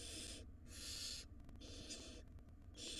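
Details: Barn owl nestlings begging as their mother feeds them rodents in a wild nest box; loud rasping hisses, about half a second to a second long, alternating with short pauses, over a low mechanical hum.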